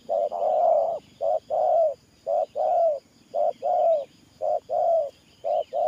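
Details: Spotted dove decoy bird cooing in the 'Thổ Pha Nước Gù' style: mellow low coos in pairs, a short note then a longer falling one, repeated about once a second against faint background chirps.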